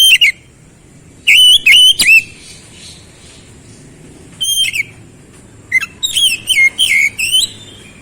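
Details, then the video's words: Oriental magpie-robin singing to restore a bird that stopped singing: bursts of piercing, high, down-slurred whistles separated by pauses, ending in a rapid run of varied looping whistled phrases. "KICAUAN KEMBALIKAN KACER MACET BUNYI CEPAT GACOR"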